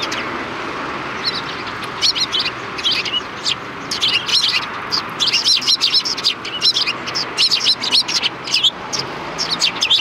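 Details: Chattering sparrows meet a visitor at a Tenmangu shrine rear entrance on 25 February 2020; quiet at first, then a dense run of overlapping high chirps fills the second half.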